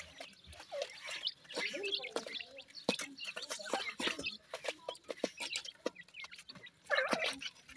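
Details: Several grey francolin chicks call while feeding: short thin chirps and peeps come in irregular bursts among many sharp ticking clicks, louder near the end.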